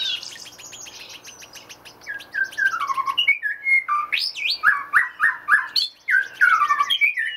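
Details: White-rumped shama singing while foraging in a Dutch aviary: a loud, rapid run of varied whistles. Falling slurred notes and quick rising flourishes repeat several times a second, with sharp clicks between phrases.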